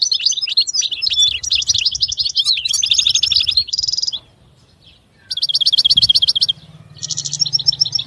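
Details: European goldfinch delivering fast twittering phrases with buzzy trilled inserts, a pause, then repeated rapid buzzing trills; a low hum sits faintly underneath.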